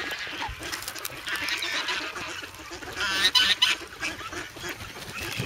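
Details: Grown young geese, formerly goslings, noisy and hungry in the snow in Sloterpark, Amsterdam, on February 3, eager for bread and pecking at the person; harsh overlapping honks in bursts over a dense, noisy background, recorded with a Sanyo camera.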